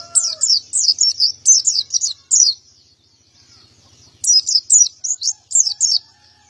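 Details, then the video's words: High, piercing chirp series from a male white-eye singing 'gacor', 'ngalas ngeplong' style: a fast phrase of sharp notes, a brief soft pause, then another burst; a rooster's crow ends briefly at the start. "Burung pleci gacor jantan"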